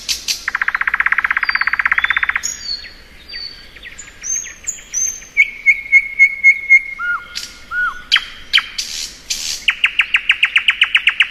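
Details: A thrush nightingale's spring song: an opening buzzing rattle, varied high whistles, a run of even piping notes, low slurs, and a closing fast series of loud, repeated clicking notes.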